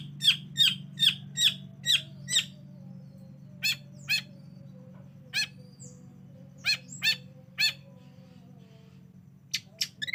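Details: Long-tailed shrike lure call meant to make a reluctant bird sing: six sharp, bright chips in quick succession, then scattered single notes with long pauses, and a faint low hum throughout.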